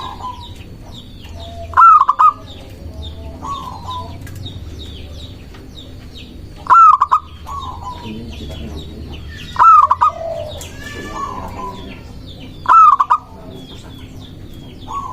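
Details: Local zebra dove singing as a lure for doves and rivals; four stuttering cooing phrases spaced about three to five seconds apart, softer answering coos between, and busy high chirps and twitters from other birds.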